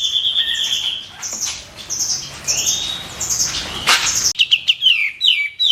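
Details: Caged White-eared bulbul singing as a training master for contest songbirds: loud, sharp whistled notes, some steady and some falling, with a burst of quick descending chirps near the end over a faint background hiss.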